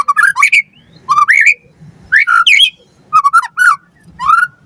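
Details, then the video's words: White-rumped shama phrases used to lure captive birds into responding: short clusters of rising whistled notes, roughly one a second, separated by clear pauses. "Pancingan Murai Batu Gacor Auto NYAUT Cepat RESPON Buat Masteran Burung Murai Agar Gacor Full Isian"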